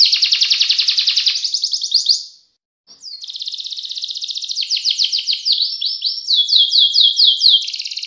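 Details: Canary sings a long ngerek roll: a fast buzzy trill fades out, a short silence, then the song resumes with steady rapid rolls and several rising swept notes, high-pitched and clear.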